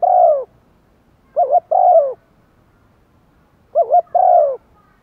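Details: Spotted dove used as a decoy to draw in wild doves, cooing: three sets of low, rounded coo notes, each a quick double note followed by a longer hollow coo, separated by quiet pauses.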